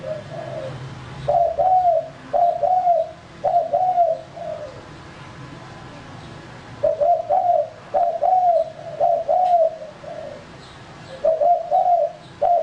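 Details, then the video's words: Male spotted dove kept to lure other birds, delivering bursts of soft hollow coos in linked two- and three-note groups, with a quiet gap of several seconds mid-recording before cooing resumes. "Burung Tekukur Pikat Jantan"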